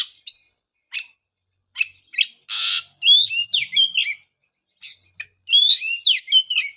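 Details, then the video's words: Magpie-robin song used to stimulate a bird that stopped singing after moulting: scattered sharp chips and one loud harsh rasp, followed by lively phrases of tumbling, slurred whistles. "pancingan suara untuk terapi burung kacer"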